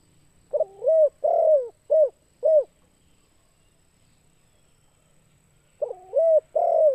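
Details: Spotted dove call used to lure other birds: a mellow cooing phrase of several hooting notes, the first pair linked, then two short coos, a long pause, and the phrase starting again; quiet background.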